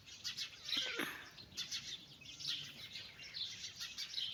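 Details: Shrill peeping from a group of domestic chicks walking with a mother hen, many short high notes layered together, with a louder burst near the start.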